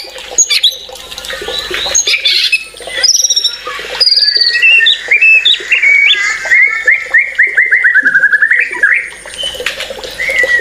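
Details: White-rumped shama in full song: assorted bright whistles and harsh notes giving way to a long, even series of quick repeated rising notes, like a rolling trill, before a final clear whistle.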